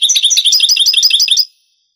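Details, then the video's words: European goldfinch song in the Granada (Andalusian) style, from an old Spanish cassette of the 1980s–90s transferred to digital: a rapid, steady run of about a dozen high, buzzy, tinkling notes lasting a second and a half, then silence. "CD ANTIGUO DEL CANTO DEL JILGUERO Años 80-90 شريط تغريد إسباني قديم"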